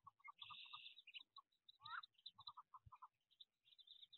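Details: Wood duck ducklings in a nest box in 2023 on jump day: quiet high peeps mixed with short lower chirps in quick series, plus one rising squeak and faint thumps.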